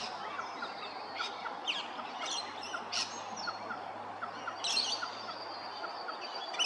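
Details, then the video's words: Laughing kookaburra at Hervey Bay, Queensland, giving a dense, cackling chatter throughout, with thin high chirps and whistles from other small birds over the top. "Laughing Kookaburra"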